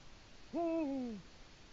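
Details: Eurasian eagle-owl at the nest on an autumn evening, 1 October 2017, marking its territory: a single loud, low, rich hoot about three quarters of a second long, falling gently at the end.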